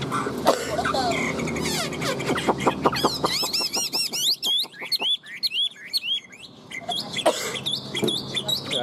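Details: Tame Chinese hwamei singing while carried by hand; a man talks through the opening seconds, then loud, rapidly looping whistled phrases with sharp rising and falling notes burst out, followed by sparser scattered notes as talking resumes.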